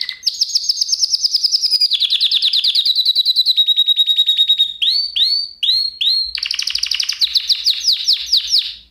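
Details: Song recording meant to teach canaries: long rolling trills that shift pitch step by step, a few separate rising whistled notes, then a high rapid trill that fades at the close.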